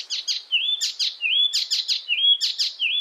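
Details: Icterine warbler, a European songbird, singing for use in training other songbirds; high, rapid phrases of sharp chirps, each ending in a sustained whistled note, repeated about every three quarters of a second against a silent background.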